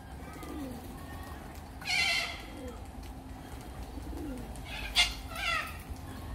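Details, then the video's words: Little corella with two separate harsh, grating screeches about three seconds apart, and soft low cooing sounds in between. "Little Corella"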